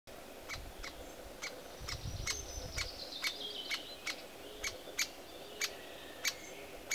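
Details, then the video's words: Young great spotted woodpecker at its nest site shortly before fledging gives sharp, clicking kik notes, about one or two per second and slightly irregular, with faint thin whistles from another bird and a low rumble early on. "młody dzięciołek"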